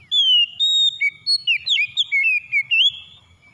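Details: Shama song, white-rumped, intended to get a stressed caged bird singing again: a long string of about ten fluid whistled notes, swooping up and down, delivered rapidly over roughly three seconds.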